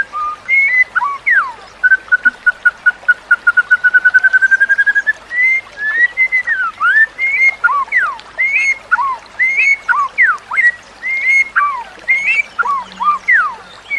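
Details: White-rumped shama song for training captive shamas: a long steady trill of rapid even notes rising slightly, then varied whistled slurs and downward sweeps in quick succession.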